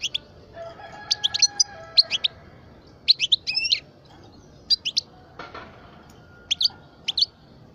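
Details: Kept European goldfinch of the parva subspecies, twelve years old, singing short groups of sharp, high chirps with brief gaps, plus one fuller tinkling phrase near the middle.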